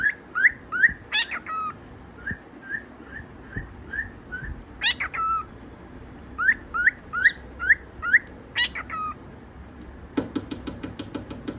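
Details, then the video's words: Tame pet cockatiel trying to impress, giving a string of short, rising whistled notes, about two or three a second, broken by harsh, scratchy chirp bursts, ending in a quick run of dry clicks. "Cute cockatiel trying to impress"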